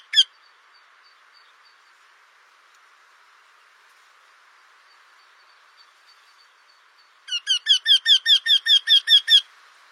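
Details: Eurasian wryneck singing: after a quiet stretch opened by one sharp note, a quick run of about ten loud, evenly spaced nasal notes, all of similar pitch, repeated over roughly two seconds.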